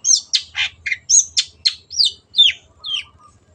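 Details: Long-tailed shrike, a kept songbird in full song: a fast jumble of varied buzzy, harsh and whistled notes, some rising and some falling, with faint low hum.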